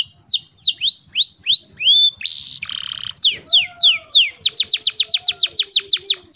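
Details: Singing canary delivering a long roll, played to stimulate other canaries: a series of sweeping whistled downslurs, a harsh buzzy segment, then rapid, ringing repeated notes building into a dense trill.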